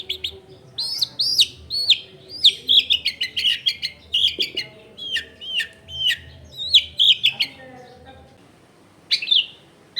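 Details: Long-tailed shrike, home recording in a densely populated area, played to make silent shrikes respond: rich chattering song of bent whistled notes and rapid clicks, with a pause near the end before a final burst.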